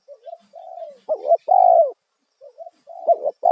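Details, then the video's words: Loud 'kuk satu' spotted dove call meant to make wild doves respond: soft lead-in coos followed by a sharp double hiccup and a long, swelling final coo, then the phrase begins again. "Panggilan suara tekukur kuk satu suara lantang auto burung liar respon"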